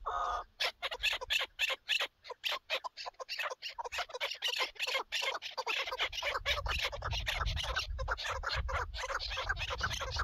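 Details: Chukar partridge heard on a partridge hunt: loud, separate harsh chuk notes at first, quickening into a continuous rasping chatter while low rumbling noise grows in the background.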